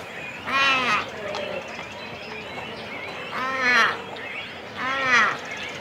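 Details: Cormorants on the nest in a colony, chicks and adults calling at close range: three loud, drawn-out, nasal calls with a rich buzzy tone, spaced roughly two seconds apart over a soft background murmur of other birds.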